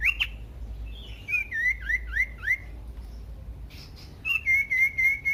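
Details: Common iora song played to provoke other ioras into singing: an opening whistled flourish, then a rapid train of rising whistled notes, a pause, and a steady run of evenly spaced short whistles at the end.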